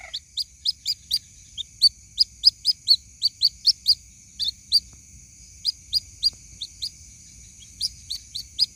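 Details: Lure recording of a white-breasted waterhen chick calling for its mother: a long run of high, sharp peeps, roughly four a second with brief pauses, and a steady thin whine behind them.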